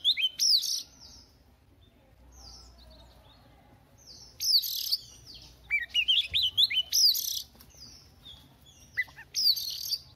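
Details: Recently wild-caught Oriental magpie-robin singing to warm up its voice in the morning: loud, varied phrases of sliding whistles mixed with harsh buzzy notes, given in bursts separated by short pauses, with a low hum in the background.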